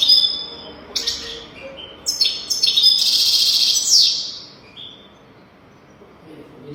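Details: Teaching song of a European goldfinch, meant for young birds to copy. Sharp chirps lead into a sustained, buzzy, tinkling burst lasting about two seconds, which trails off into near silence.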